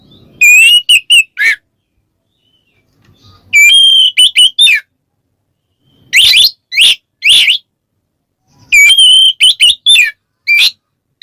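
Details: Kacer (white-rumped shama) singing ngeplong to call a rival: loud whistled notes alternating with harsh rasping upswept bursts, phrases separated by silent pauses of a second or two.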